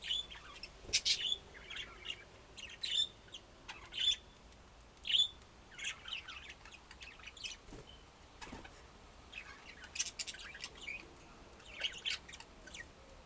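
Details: Budgerigars chattering with a steady stream of quick, high chirps and squeaky twitters, loud notes breaking through softer overlapping calls throughout.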